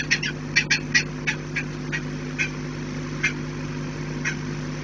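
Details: Saker falcons defending their nest with mounting desperation, recorded 11 January 2018: a series of short, sharp, scratchy call notes, first quickly clustered and then spaced out, over a constant low hum.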